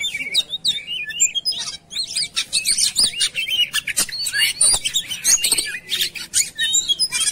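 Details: Oriental magpie-robin song used as a lure: clear swooping whistles open, then a busy burst of sharp chirps and trills after a brief pause, overlapping voices throughout.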